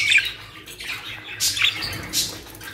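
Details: Budgerigars kept as a new aviary collection in Pakistan give short, harsh, high squawks and chirps in quick separate bursts over soft continuous chatter.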